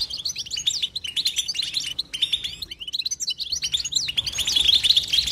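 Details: Nonstop batbata twittering of a European goldfinch: rapid bright chirps, twangy upslurred notes and liquid trills tumbling together, with a loud sweet ringing flourish toward the end.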